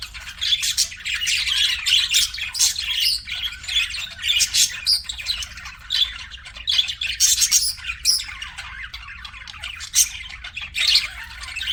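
Budgerigars chatter in a busy, continuous stream of high scratchy chirps and squawks, several birds overlapping with sharper bursts every second or so.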